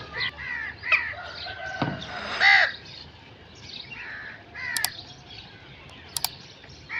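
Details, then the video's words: Crow giving a few harsh, hoarse caws with a loud burst near the middle, mixed with scattered chirps from other birds and a couple of sharp clicks against light background noise. "Crow sound effects"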